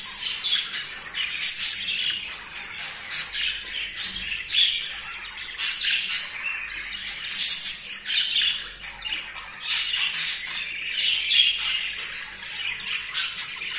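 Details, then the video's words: Continuous chattering warble from an excited male budgerigar as he mates with a female for the first time. Grating, buzzy squawks and clicks pour out in quick uneven bursts throughout. "تزاوج عصافير الحب | البادجي | ذكر هائج | جدا لاول مرة يتزاوج"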